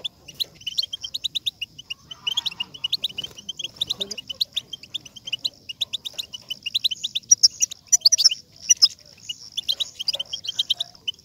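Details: Batbata twittering of European goldfinch, meant to prompt a goldfinch into song: quick high chirps repeated in steady series over a thin sustained trill, growing louder and busier toward the end.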